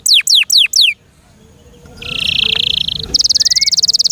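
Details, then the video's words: Kept canary giving four loud descending whistles, a pause, then a steady high buzzing trill and a faster ringing trill. "THE BEST CANARI BIRD"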